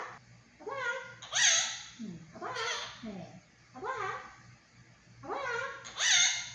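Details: Monk parakeet talking at home: four or five separate mimicked word groups, each starting with a bright rising harmonic sweep and a raspy edge, spaced about a second apart, in a quiet room.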